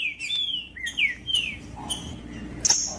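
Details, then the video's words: Green-winged saltator (trinca-ferro) song played to warm up and stimulate captive birds kept for singing tournaments: loud whistled phrases sliding down from high to lower pitch, several notes in three seconds, with a faint background hum. "MELHOR VÍDEO PARA ESQUENTAR TRINCA FERRO COM TRINCA FERRO CANTANDO"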